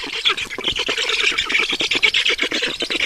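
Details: Estonian black stork nest on the evening of 5 June 2019, 20:28, as water arrives: loud, nonstop harsh squawks repeated in quick rhythmic pulses, a grating, wheezy chorus throughout.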